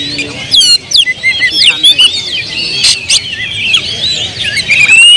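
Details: Oriental magpie-robin in emotional, agitated song used to provoke other birds. The song is rich and rapid, with twittering phrases, long rising whistles and sudden sharp accents, and the phrases run almost without pause.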